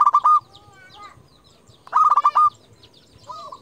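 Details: Local zebra dove, a champion lure bird singing to call rivals: two loud stuttering cooing phrases of rapid clipped notes, about two seconds apart, with a softer phrase starting at the end.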